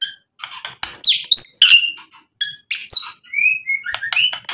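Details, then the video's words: White-rumped shama singing loudly to provoke rival birds into answering; rapid mix of harsh chirps, sharp high notes and short whistled slurs, delivered without pause. "MURAI BATU GACOR bikin EMOSI lawan jadi NYAUT BUNYI BONGKAR MATERI ISIAN ampuh buat PANCINGAN murai"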